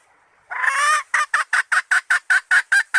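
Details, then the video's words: Red junglefowl hen, a lure call used to call males: one drawn-out, rough squawk, then a steady series of short, hoarse clucks repeated at a brisk, even pace. "suara ayam hutan betina merah asli/The sound of the original red female jungle fowl"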